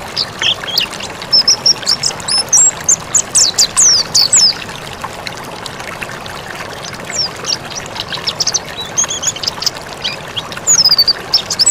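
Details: Mountain white-eye singing vigorously in a recording made for training caged birds: rapid high, thin whistled and twittering notes in bursts, sweeping up and down, over a steady rushing hiss like running water.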